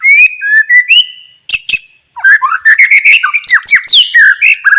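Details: White-rumped shama singing, used as a lure to make lazy shamas answer: clear whistles, two harsh buzzy notes, then a dense rapid stream of varied warbled and slurred phrases.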